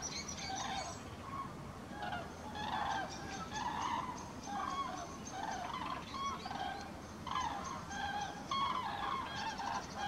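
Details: A flock of common cranes passing over Halle Westfalen, 5 March 2018, many birds calling together in loud, harmonic, bugling notes that overlap in bursts throughout, over steady low background rumble.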